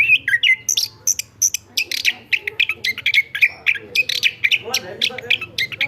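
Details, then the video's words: A chestnut-backed thrush sings vigorously, recorded as tutor song for other birds; quick mellow whistles and high sharp notes tumble out several times a second, over a soft low background hum. "ANIS KEMBANG GACOR"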